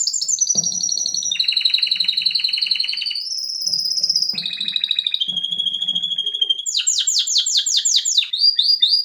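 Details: Male canary singing as a training song for other canaries: a long, fast song of high rolling trills and buzzy tours, shifting pitch every second or so, ending in rapid sweeping notes.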